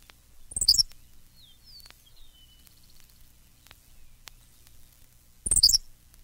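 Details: Henslow's Sparrow song: two brief, high, dry hiccup-like songs about five seconds apart, with faint thin whistles from other birds between them.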